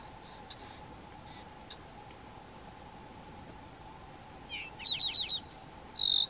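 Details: Red-winged blackbirds defending their nest from a white-tailed deer close by: faint clicks, then a quick run of four short high chipping notes, followed by a longer sharp whistled note, over a steady low hum.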